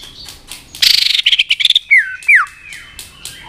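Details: White-rumped shama stimulated to fight-sing: a fast burst of clipped high notes, then two loud slurred whistles sliding downward, with a thin steady tone running beneath.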